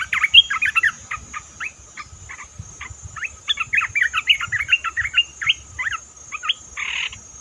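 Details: Red-whiskered bulbul calling on a recording used to lure birds for trapping: a lively run of quick, bubbly, chattering notes in uneven bursts, with short pauses between phrases and a steady high hiss behind.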